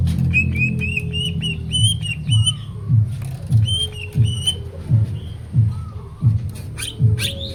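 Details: Greater green leafbird song of repeated bright whistled notes in rhythmic series, then scattered slurs and chirps, over a low pulsing beat about every 0.7 seconds.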